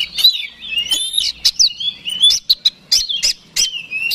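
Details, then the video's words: Oriental magpie-robin (kacer) song used to provoke a rival into fighting: loud, varied high whistles and sliding notes interleaved with sharp clicking bursts, delivered in rapid, irregular phrases. "PANCINGAN KACER SUPER BOCOR NGOTOT TARUNG BIKIN LAWAN MBAGONG"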